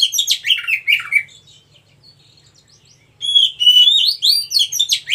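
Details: A wild Oriental magpie-robin, whose song is used to tutor stressed or silent captive birds, sings rich, varied phrases of sweet whistles, chirps and sharp downslurred notes in two bursts separated by a short pause, over a faint low hum.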